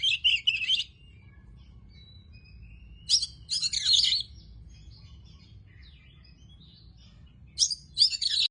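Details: Tame Oriental magpie-robin giving short bursts of quick, scratchy, varied warbled phrases with long quiet gaps between, faint soft notes in the pauses and a low background hum.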